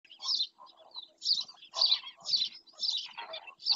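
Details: Black-winged stilt in Doñana park: sharp, harsh yelping notes repeated about twice a second in uneven bursts, each note high and rasping, with softer lower chatter between them.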